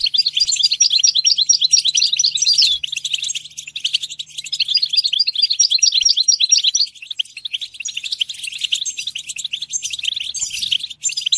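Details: European goldfinch song flowing nonstop for over eleven seconds: rapid, jingling twitters with repeated thin whistled notes, at roughly two notes a second in clusters. A faint hum appears early, then quiet otherwise.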